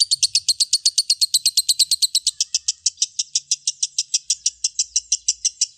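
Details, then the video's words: Lovebird giving a long ngekek chatter: a rapid, steady run of sharp, high chirping notes, about five per second, held without a break from start to finish. "Suara Burung Lovebird Ngekek Panjang"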